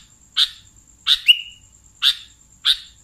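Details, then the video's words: Sooty-headed bulbul used as a catching lure: four short rasping chirps spaced roughly every two-thirds of a second, one followed by a brief buzzy trailing note, with a constant thin high whine behind. "SUARA BURUNG Kutilang Pikat"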